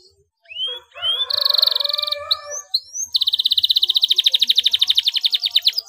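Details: Canary singing to stimulate mute canaries: scattered rising whistles, a short buzzy rolled phrase, more upslurred notes, then a long rapid trill of repeated notes that slows gradually.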